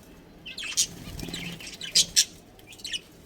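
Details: Pet budgerigars from a colony with a breeding pair, giving a few short, sharp chirps spaced apart, with a soft flutter of movement in between.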